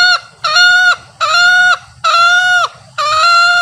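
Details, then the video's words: Male green junglefowl giving its 'ngekek' call, used to lure wild junglefowl when hunting: five loud, nasal, harmonic honking notes of about half a second each, repeated steadily, with a faint low hum beneath. "SUARA AYAM HUTAN JANTAN ( NGEKEK BERKOKOK)"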